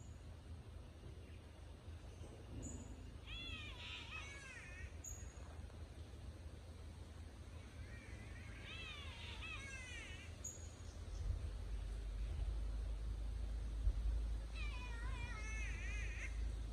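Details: A catbird in Noosa tropical forest gives harsh, wavering wails that sound remarkably like a meowing cat.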